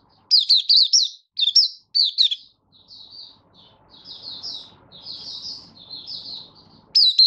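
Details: Caged Oriental white-eye from Malaysia, lightly moulting, recorded 24 August 2023, song form still developing: loud clusters of fast high chirps, then several seconds of quieter, softer warbled notes, before another loud burst.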